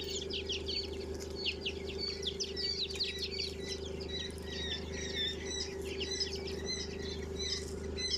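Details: Twenty-day-old quail chicks raised at home in India, being moved to another room; dense, continuous high chirping and peeping from many birds at once, over a steady low electrical hum.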